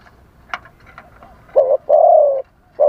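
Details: Spotted dove used as a live decoy to lure wild doves, singing in a wild-style voice: a short low coo followed by a longer, steady, hollow coo, then another coo starting, with faint clicks before.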